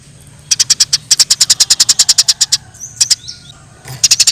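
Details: A fighting Eurasian tree sparrow in the wild gives a long fast string of sharp chirps, about three a second. It pauses, then adds a few more, with faint whistles from another bird and a low hum.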